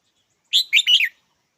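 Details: A red-whiskered bulbul utters a brief three-note phrase, sharp and chirpy with a warbling middle, over in about half a second, with no other sounds around.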